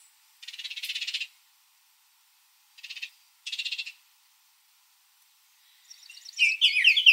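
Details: Baltimore oriole feeding on grape jelly in a backyard, giving three short dry rattles separated by silent gaps, then a louder burst of rapid chattering notes.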